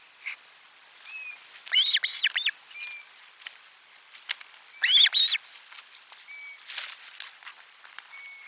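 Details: Osprey at nest 4 during lunchtime fish, 12 July 2022: two separate clusters of three or four hoarse arched whistles about three seconds apart, with thin whistles and faint clicks in between.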